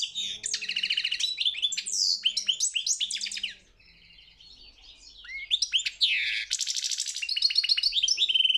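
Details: European goldfinch performing at a singing championship: rapid high twittering and rattling trills, a soft lull in the middle, then rising buzzy sweeps and bright chirps through to the end.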